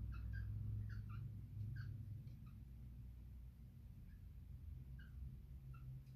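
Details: Soliciting female cockatiel gives soft chirped notes, paired and then spaced out, fading later, against a constant low rumbling background.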